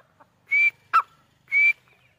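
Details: Grey partridge calling: two loud, sharp whistled notes about a second apart, each with a harsh buzzy edge, and a shorter lower note between them.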